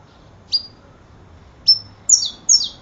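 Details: Saffron finch giving four sparse, high notes: two thin whistled flicks, then a pair of quick doubled downslurred chirps near the end, over a quiet background.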